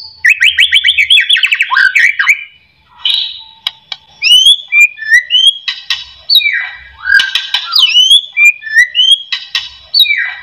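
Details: A white-rumped shama's lure song to stir other shamas into singing: a fast rattling trill, a pause, then loud slurred whistles and upswept notes in varied phrases.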